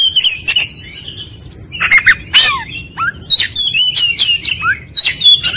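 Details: Lure song of an Oriental magpie-robin meant to spark ngobra: varied clear whistles and scratchy chips in short bursts, with quick downslurred notes and a few quieter gaps.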